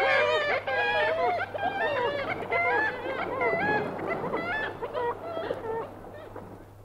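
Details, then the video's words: A single Black-legged Kittiwake, recorded close up by the sea, gives various nasal, wailing calls with rising and falling inflections. Other kittiwakes answer in a noisy chorus behind it. "Kittiwake. Single Bird Giving Various Calls CU, With Others Answering"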